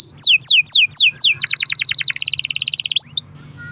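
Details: Canary long-roll song meant to make other canaries sing: five loud down-slurred whistles, then a rapid rattling trill of about twenty pulses, ending in a rising whistle and quiet low hum.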